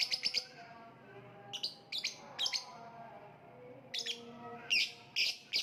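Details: Bursts of shrill, high-pitched lovebird squeaks, quick doubled and tripled notes separated by short pauses, with faint lower chirps from other birds behind.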